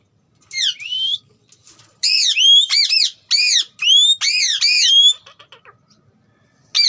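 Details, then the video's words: Talking green ringneck parrot: a loud rapid series of arched, harmonic-rich squeaky syllables, run together in bursts, then a brief pause before another call. "Ringneck parrot talking"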